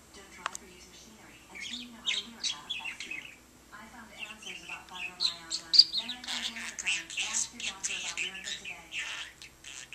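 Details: Budgerigar kept as a pet, chattering at a lamp: quiet at first, then a long stream of scratchy, speech-like murmurs mixed with rapid high chirps and clicks.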